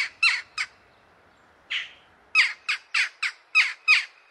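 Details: Jackdaw (Corvus monedula) giving a series of short, harsh, squawky 'kya' notes. Three open the clip, then a pause, a single call, and seven more in a fairly steady run. The background is otherwise quiet.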